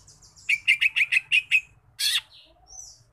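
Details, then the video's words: Lesser green leafbird singing: six evenly spaced, clear whistled notes, then a harsh, buzzy rasp and a thin high whistle, over a soft low rumbling background. "Suara Khas Burung Cucak Ijo Mini Gacor"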